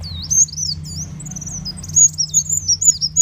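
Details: High, thin sunbird lure sounds for catching birds: a continuous twittering of wavering, sliding whistles, rising and falling quickly, with a steady low hum beneath.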